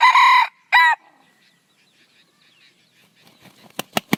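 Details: Red junglefowl crowing: two loud, harmonic, strained syllables, a long one and then a shorter one, followed by near silence and a few sharp clicks at the end.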